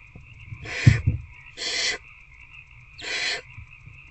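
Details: Barn owl nest box at night, 19 February 2024, with an adult feeding an older owlet a rat; three short breathy screeches roughly a second apart, a few low thumps at the start, steady hum behind.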